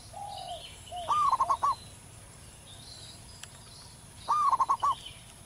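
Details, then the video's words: Loud, prolific song of a wild local zebra dove. A soft lower coo leads into a gliding note and a fast run of staccato coos, then the same phrase again about three seconds later over faint chirping of other birds. "perkutut lokal manggung gacor di alam liar suara besar"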